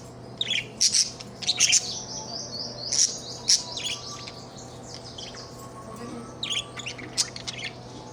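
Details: Budgerigar; chatter; expressing contentment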